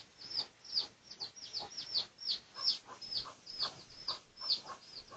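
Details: Red junglefowl recorded for research on 18 August 2023, giving thin, high, slightly falling peeps, about two each second, steady and insistent over a quiet background.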